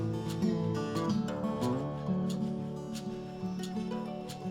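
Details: Strummed and plucked acoustic guitar music plays throughout, with no animal sounds.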